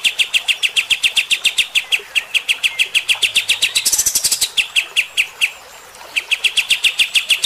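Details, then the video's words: Bulbul in rough shooting style, used to anger fighter-type birds: nearly continuous rapid sharp notes with a short high burst in the middle and a brief pause before the stream resumes. "AUDIO KAPAS TEMBAK GACOR MBESET TEMBAKAN KASAR. BIKIN EMOSI BURUNG TIPE FIGTER"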